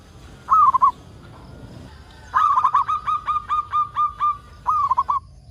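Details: Lively local zebra dove, whose song serves as a lure to make other zebra doves sing: a quick three-note coo, a pause, then a rolling phrase of about nine crisp, regularly repeated coos and a closing warbled triplet.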